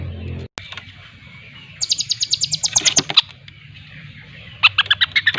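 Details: Lampung long-tailed shrike practising its song: after a sharp click, a fast train of rasping high notes runs for about a second, followed by a pause and a scratchy, repeated chatter near the end.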